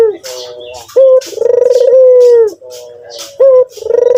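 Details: White turtle dove (puter putih) in full voice, a sharp short note leading into a long, pulsing, level purr that tails off, then the phrase begins again; scattered high chirps behind.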